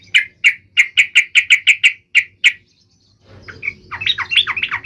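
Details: Trucuk (Yellow-vented Bulbul) song used to get others singing: a steady series of about eleven crisp, evenly spaced chirps, then a bubbling, jumbled chatter of varied notes over background hum.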